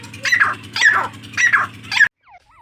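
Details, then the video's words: Grey francolin (dakhni teetar) calling: harsh, strident notes repeated about every half second in a rhythmic series, with a steady low hum running underneath until an abrupt cut. "dakhni teetar ki awaz | teetar boli| jungali teetar ki sound |grey francolin voice"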